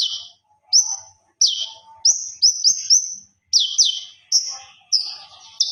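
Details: Konin (common iora) master recording of nonstop song leading to ngobra: separate loud whistles sliding down and up, single or doubled, spaced roughly half a second apart, with faint background chirps.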